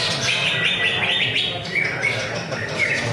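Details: At a weekly Friday practice songbird contest, a greater green leafbird gives clear whistled notes, some in quick stepped descending runs, over steady background chatter from many other birds.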